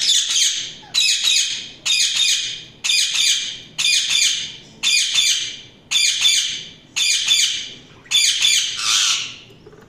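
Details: Budgerigar chirping: harsh, buzzy squawks in a steady series, about one burst a second, each starting loud and trailing off, nine in a row with short quiet gaps.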